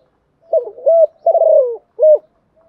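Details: Decoy spotted dove cooing in the morning to draw wild doves: one low phrase with soft opening notes, a steady coo, a long descending rolled coo and a short ending note.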